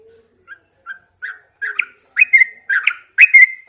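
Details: Caged Yellow-vented Bulbul set outside at dawn for morning airing, starting with soft isolated chirps that build into louder, rich bubbling whistled phrases repeated about twice a second.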